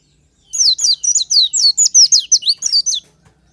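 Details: Morning song of an Oriental white-eye, natural and used as a lure: rapid sequence of shrill descending chirps, about a dozen notes in two and a half seconds, with a faint low hum underneath.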